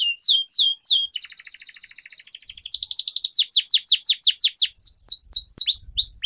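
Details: Canary singing for training, with a long roll: sharp descending whistles, a fast sustained rolling trill dropping slightly in pitch, then a run of repeated downward-sweeping whistled notes.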